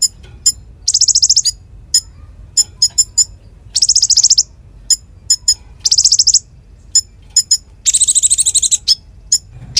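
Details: Energetic konin singing in full, used as a model song for magpie-robins: shrill rapid buzzing trills repeated every couple of seconds, separated by clusters of crisp high ticks.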